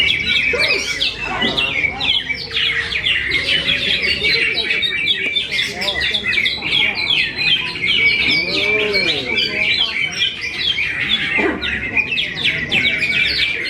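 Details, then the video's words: Greater green leafbird from Kediri delivering a long, busy, unbroken song of rapid chirps, trills and slurred whistles, a thin sustained high note repeating, with softer lower voices and possible speech in the background. "cucak ijo"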